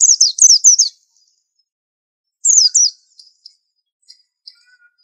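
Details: Master-song white-eye delivering two rapid bursts of high, thin, descending whistled notes, the first run of five and then a shorter run of three, trailing off into a few faint, soft high chips.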